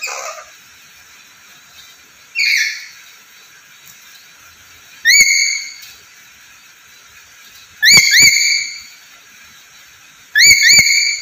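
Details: Black-capped lory, a lively bird known for talking, repeating harsh, upward-sweeping nasal calls about every 2.6 seconds, some doubled into quick pairs with sharp clicks, against a continuous hiss.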